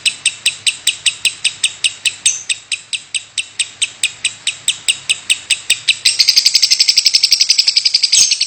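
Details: Continuous 'batuk' (cough) calling from a lovebird: evenly spaced high chips about twice a second, growing louder and faster into a rapid rattle after six seconds.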